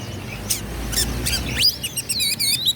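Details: Oriental magpie-robin in full song, meant to provoke rival males into fighting and tail-spreading; faint clicks and sharp rising strokes open, then from mid-clip a run of clear high whistles, looping warbles and quick chirps, steady hum beneath.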